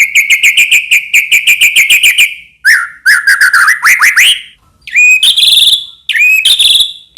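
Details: White-rumped shama in constant song, used as a lure to make other shamas sing. It starts with a steady fast series of clipped notes, shifts to rising buzzy slurs, then ends with loud upswept whistles.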